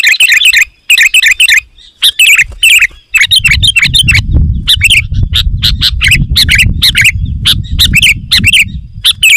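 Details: Sooty-headed bulbul song for luring wild birds: loud chirped phrases in close repeated bursts, some with a bright ringing tone, over steady low rumbling background from mid-clip on.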